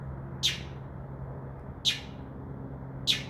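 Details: Northern mockingbird singing from a tree outside a window, a bird that returned nightly from midnight: three short, sharp high notes spaced about 1.3 seconds apart, over a steady low hum.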